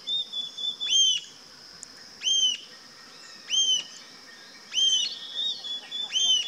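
Rufous-tailed jacamar giving sharp, high whistled notes that rise and then drop, about five in six seconds, over faint background birds and insects.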